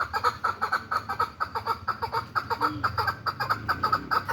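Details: Hybrid chukar partridge, hand-tame, giving a loud, insistent run of clucking chuck notes, evenly spaced at roughly three per second without a break, over a low hum.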